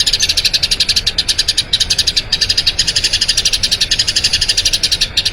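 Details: Training recording of a Eurasian tree sparrow's long rolling song: dense high chirps delivered about four per second in an unbroken run, with brief tiny gaps between phrases.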